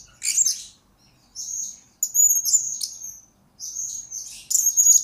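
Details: Blue-crowned hanging parrot, a lure and master recording for training birds: buzzy very high phrases and drawn-out thin whistles, ending in a loud burst of sharp chirps.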